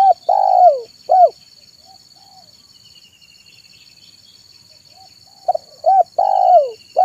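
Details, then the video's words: Zebra dove singing in the afternoon to attract wild birds: a long falling rolled coo and a rounded note, a pause with soft distant chirps, then a new phrase of quick notes and another long coo, over a steady high hum. "SUARA BURUNG TEKUKUR MANGGUNG DI SORE HARI"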